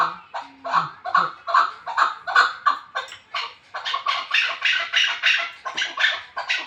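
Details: Chukar partridge calling from the Pamirs: a rapid series of loud, clucking chuk notes repeated about twice a second, building into a continuous excited chatter, with a brief human voice near the start.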